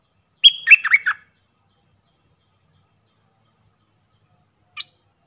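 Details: Puff-throated bulbul decoy bird's call, used for training fledglings and hand-fed young: one short phrase opening on a clear high whistle, then three quick slurred, dropping notes, followed by a faint brief chirp.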